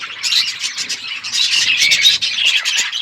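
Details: Parrots chirping while eating, recorded February 25, 2024: a dense, continuous chatter of high, scratchy chirps and squawks overlapping throughout, with no pauses.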